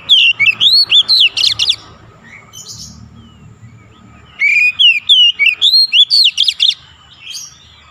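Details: Magpie-robin singing fast 'gacor' song to stir a silent bird: two long runs of rapid, loud whistled notes rising and falling, about four per second, with a quieter gap between them.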